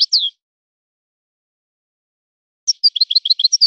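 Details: European goldfinch in a named local song style: a short falling slurred note, a long pause, then a quick run of bright, clipped chirps. Nothing else is audible.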